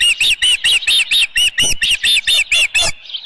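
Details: Evening nest scene at Dunrovin Ranch, 10 June 2018, with a headless fish: an Osprey repeats about thirteen clipped, high whistled chirps at a quick steady pace, ending in a faint drawn-out note.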